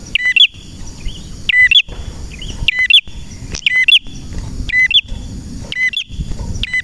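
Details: Lively male red prenjak song used to train and lure other prenjak: loud high chirping bursts recurring about every second, short clipped twittering notes separated by brief pauses, with faint low background rumble.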